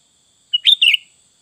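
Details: Sooty-headed bulbul singing full isian song. A quick chirpy phrase: a thin lead-in note, then two tumbling bubbly notes, against a faint steady high hum.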